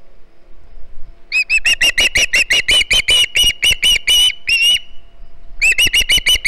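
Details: Young Osprey at Hog Island calling for fish on a live nest camera, 09 September 2019: a quick series of shrill, whistled chirps, a short break, then the chirping resumes.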